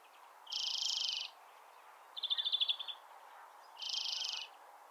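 A European greenfinch sings: two long, nasal, wheezing buzzes framing a quick rattling trill of about eight notes, high-pitched against a quiet background hum.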